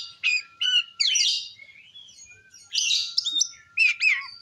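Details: Oriental magpie-robin in vigorous ngeplong song, meant to provoke other magpie-robins: loud phrases of rich, rapidly varied whistles, rising and falling slurs and buzzy notes in bursts separated by short pauses, over a faint steady tone.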